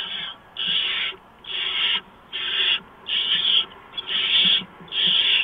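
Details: Barn owl nest at 4:26 AM, 6 March 2015, with prey delivery of a mouse: evenly spaced harsh hissing screeches, about six, each around half a second with similar gaps, faint rustling.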